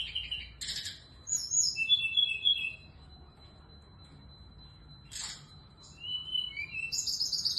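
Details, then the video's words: Morning song of an active female SRDC: short buzzy bursts, thin high whistles and descending slurred notes, given in clusters with quiet gaps between. "SRDC GACOR DIPAGI HARI"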